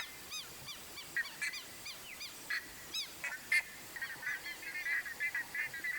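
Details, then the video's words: Wild buff-necked ibis in its natural habitat in Brazil's Cerrado biome, giving a fast run of loud, nasal, honking notes rich in harmonics, several each second, some overlapping, over a steady background hiss. "CANTO da CURICACA (THERISTICUS CAUDATUS), BUFF-NECKED IBIS"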